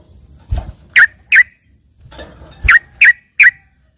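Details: Yellow-vented bulbul (trucukan) song offered as filler for a green leafbird, with two short bursts of two or three sharp, slightly slurred chirps, each preceded by a low thump.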